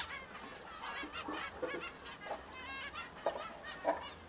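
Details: Male manon (Bengalese finch) singing, a song that tells the male from the female: short buzzy, chattering notes with nasal harmonic tones coming in loose bursts, louder accents near the end.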